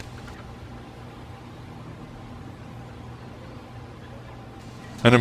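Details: Quiet steady hiss and low hum throughout, ending in a sudden loud knock; no animal calls heard.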